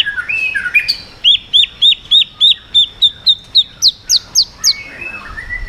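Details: White-rumped shama 'yến reo' song used to provoke other birds: a few rising whistles, then a steady run of about fifteen sharp repeated chirps, rising in pitch near the end, before a soft trailing whistle.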